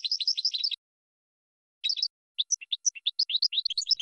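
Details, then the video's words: Training song of a European goldfinch for cage birds: a quick burst of bright twittering, a silent gap of about a second, then short tinkling notes spaced out before quickening into a dense chattering run. "Chardonneret 12h Goldfinch (Training Song)"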